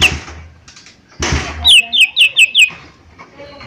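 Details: A knock and rustling come first, then the small leafbird known as cucak ijo mini gives five evenly spaced, sharp whistled notes, each slurring downward.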